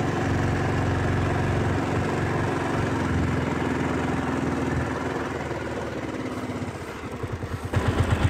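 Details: Loud idling engine drone that softens near the end into a rapid, regular low thumping.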